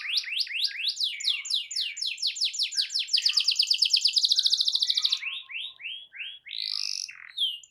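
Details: Singing canary, played to get a silent canary singing: a run of swooping notes that quickens into a dense ringing trill for two seconds, then slower repeated slurs and a drawn-out whistle.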